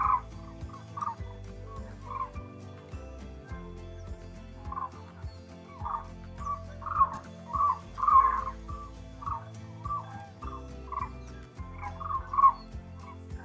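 White cranes give loud, bugling honks in irregular bursts, several notes a second at times, over a steady low droning background of music.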